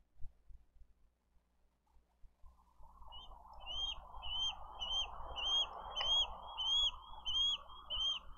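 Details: Bald eagle chick on a Dade County nest cam, 20 April 2023, begging for food while the elder chick kicks its siblings from food; a steady series of thin, high, hooked chirps about every half second over low hum.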